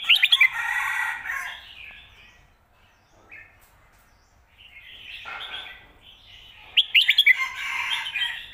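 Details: Red-whiskered bulbul singing 'fried noodles' and 'shaking bottle' style song for teaching birds at home: loud, rich warbled phrases with sharp bright notes, a quiet gap mid-way, then another buzzy, chattering run ending in strong accented notes.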